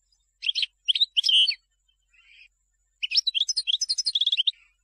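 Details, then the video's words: European goldfinch song for teaching young birds: a few separate chirpy phrases, a soft buzz, then a lively run of twittering notes ending in a quick rolled trill. "من مختارات تغريد الحسون لتلقين الفراخ"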